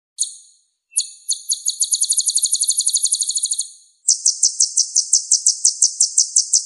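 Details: Sunbird song in a tutor recording used to spur singing birds: very high, thin, rapid trills of evenly repeated notes. A long buzzy run is followed by a second, slightly lower and brighter trill. No background noise.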